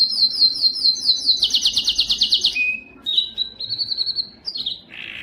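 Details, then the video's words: A yellow canary delivers high descending pulse series that speed into a rapid roll, then a lower buzz. Scattered high whistled chirps and a short burst end the phrase. "yellow canary singing"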